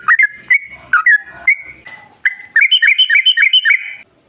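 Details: Yellow-vented bulbul singing as a lure for other bulbuls: spaced, liquid whistled phrases that slide down and up, followed by a faster run of rhythmic bubbling notes.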